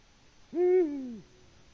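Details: Male Eurasian eagle-owl hooting to attract a mate, Latvian camera feed, evening of 6 March 2019, no female replying: a single rich, low hoot under one second, steady then sliding downward, with silence before and after.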